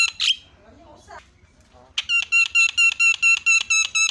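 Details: Javan myna lure recording meant to provoke other mynas into calling: one loud harsh note and faint low murmurs, then a rhythmic string of about nine identical ringing, harmonic notes, evenly spaced.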